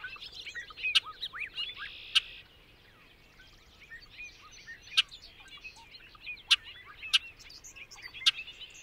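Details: Bobolink bubbling song in short bursts: twisting liquid notes and a brief buzz, broken by sharp clicking snaps and a quiet pause midway.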